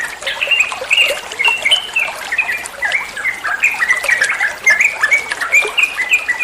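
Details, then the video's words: Olive-winged bulbul (trucuan) tutor recording for songbird training: steady run of bright, bubbly chattering notes repeated in quick succession, rising and falling, with a faint watery trickle behind. "Masteran trucuan muantaaap, (burung trucuan anda pasti nyaut)"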